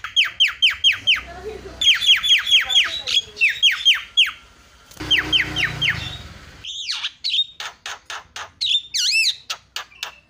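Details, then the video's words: Javan myna calls used to provoke other mynas into calling: bouts of quick, falling whistled notes broken by brief gaps, then sharp clicks and looping, wavering whistles near the end. "PALING MANTUL SUARANYA MENGGODA JALAK CEPAT TERIAK"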